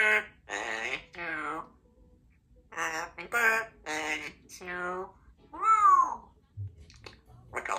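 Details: A female Congo African grey parrot, a talkative pet, talks in a run of short, word-like phrases in a human-sounding voice, then gives a clear whistled note that rises and falls.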